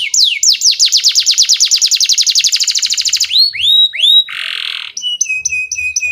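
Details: Canary song serving as a lure to teach young canaries: a rapid, accelerating train of falling notes, a few loud upswept whistles, a harsh buzz, then repeated clipped high chirps.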